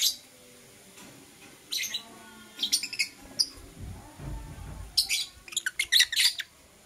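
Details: Lovebirds of blue opaline and euwing opaline colouring chirping in the morning: sharp high chirps in small clusters, a brief low thump midway, then a quick series of squeaky notes.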